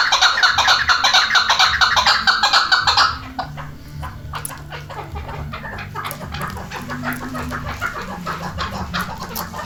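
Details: Chukar partridge calling: about three seconds of loud, rapidly repeated harsh notes at a steady rhythm, then the calls stop and only faint background noise with scattered clicks remains.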